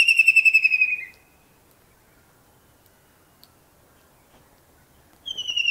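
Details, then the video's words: Kingfisher perched and calling in early morning in Pakistan: a loud, rapid series of pulsed whistled notes slowly dropping in pitch for about a second, then quiet, then a new burst of the same rattling whistle near the end. "Amazing Kingfisher bird song"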